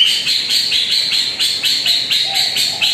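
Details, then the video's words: Lure recording of greater green leafbird song, used to make a rarely singing bird start: rapid, evenly pulsed high trill notes repeated about four times a second, bright and chattering throughout. "PANCINGAN CUCAK IJO ANDA YANG JARANG BUNYI"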